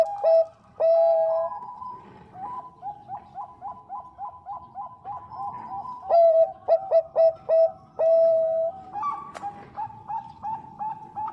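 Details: Bangkok-type zebra dove, a female calling to the male, alternates loud held coos with rapid trilled strings of short notes. A softer evenly spaced coo series runs between the louder phrases.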